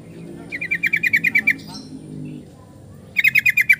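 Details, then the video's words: Yellow-vented bulbul giving a fast stuttering string of about ten identical clipped notes, a pause, then another similar rapid burst, over a low background hum. "PANGGILAN TRUCUKAN"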